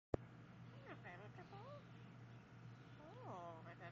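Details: Yellow-naped amazon talking: a series of wavering, harmonic speech-like sounds, some rising and falling in short loops, with a longer arched phrase near the end over a steady low hum.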